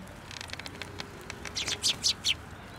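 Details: Sparrows at a shrine in January gathering on a narrow post for food; a quick run of bright, high chirps grows louder toward the end, with faint patter beneath.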